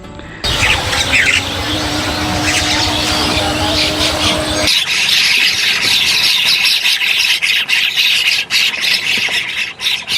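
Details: Bank mynas in a breeding colony nesting in burrows in a high sandy riverbank of the Bangali river, Bangladesh, keep up a dense, harsh chatter of overlapping squeaky, squealing calls; music and a voice at the start.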